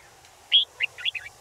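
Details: Short bulbul phrase, Red-whiskered bulbul: a loud clear whistled note, then three quick, bubbly, slightly rising chirps in close succession over a quiet background.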